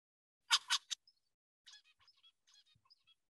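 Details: A laboratory zebra finch sings part of its song motif: three loud, harsh, buzzy notes in under half a second, then a softer run of quick, varied, high chirps and whistles.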